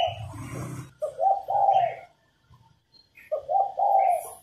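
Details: Female spotted dove coos meant to trigger male song: a phrase of short notes and a long, soft coo, a quiet gap, then the same phrase repeated, with some low rumble at the start.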